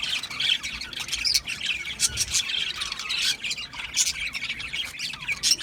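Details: Budgerigars chirping in a lively, continuous jumble of raspy squawks and thin, high tweets from several birds.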